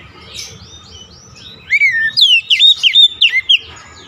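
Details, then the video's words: Oriental magpie-robin lure song played to get a stressed, silent bird singing: a quiet opening with soft warbles, then a long falling whistle followed by a rapid string of sharp, bright notes. "KICAUAN PEMIKAT DAN PERANGSANG BUNYI | Kacer stres macet bunyi langsung gacor"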